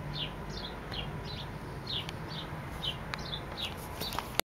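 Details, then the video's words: Sparrow singing: a steady series of short, high, downward-slurred chirps, about two or three per second, over a constant low rumble and a faint steady high hiss, ending with a sharp click. "sparrow sings"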